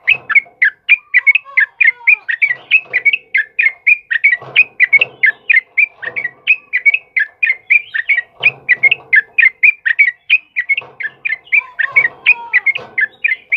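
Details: Sustained, fast sooty-headed bulbul song for training cage birds: a long unbroken string of sharp whistled notes, roughly four each second, over recurring low rumbling chatter and a faint sliding whistle.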